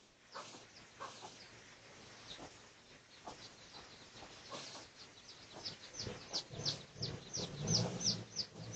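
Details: Red junglefowl (Gallus gallus), research recording from 18 August 2023, giving harsh, scratchy clucks, about three a second, growing louder toward the end over a dry rustling background.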